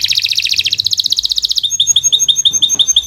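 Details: Kenari Nusantara canary in long gacor song, a training recording for young or silent birds: fast dense buzzing trill about three notes per second blending into a steady run of clear, high, evenly spaced chips.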